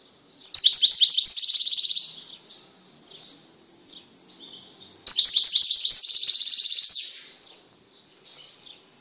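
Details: Caged male European goldfinch, separated from a female canary after mating, singing loudly: two bursts of rapid, liquid, high twittering trills about four seconds apart, with soft tinkling notes between them.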